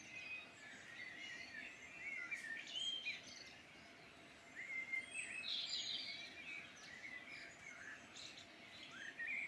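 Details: Irish Midland birds sing together in a long, rich chorus of tumbling warbles, high chirps and repeated whistled phrases. The song comes in waves that swell and ease every few seconds, with a gentle background hiss throughout.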